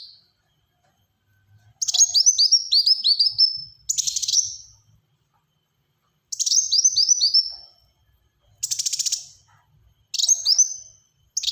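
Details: Black-throated sunbird delivering close-packed rapid song bursts for use as a lure and tutor: alternating descending chirp strings and short buzzy pulsed rattles, six bursts within about ten seconds, very high-pitched.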